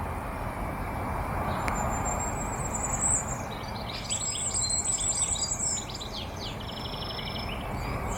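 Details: Firecrest song: a very high, thin accelerating series of notes followed by rapid, rhythmic insect-like trilled phrases, over steady broadband background noise like traffic.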